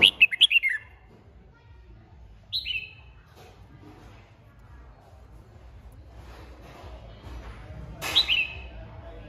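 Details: Red-whiskered bulbul originating from Hòa Bình, Vietnam, recorded 3 March 2023, opening with a rapid series of sharp whistled notes, then a lone two-part note and a final short phrase, with soft background noise and faint voices between.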